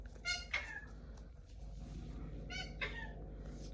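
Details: A pet male galah, being snuggly and talkative indoors, gives two brief, harsh, nasal squawks about two seconds apart, rich and buzzy, over a low indoor hum with soft background voices.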